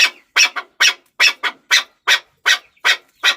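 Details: Chukar partridge calling: harsh, broadband chuk notes repeated roughly two and a half times per second, some paired in quick doubles, in a steady rhythmic series.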